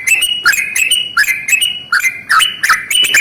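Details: Long rolling 'ropel panjang' song of a Yellow-vented bulbul at morning, used to provoke other bulbuls; dense, loud, bubbling warble of rapidly repeated liquid notes with barely any pauses.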